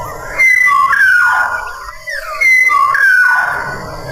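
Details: Sumbawa black-naped oriole singing eagerly, giving two mellow whistled phrases that glide downward with a clear higher overtone, spaced about two seconds apart.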